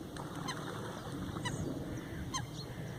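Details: Eurasian wigeon foraging at a pond's edge in the Eijsder Beemden reserve, Limburg, 7 October 2024, among swimming gadwall and coots; two short descending whistles about a second apart over steady low rumble and soft water noise.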